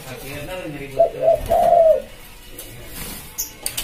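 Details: A single phrase from a tekukur, or spotted dove, used to lure wild birds. Two or three brief soft coos lead into a longer, smooth coo. Faint clicking is heard in the background.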